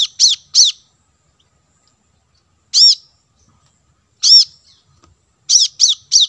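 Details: High, sharp chips of a plain-throated sunbird, lure audio for wild birds: pairs and single notes separated by silences, ending in a quick triple.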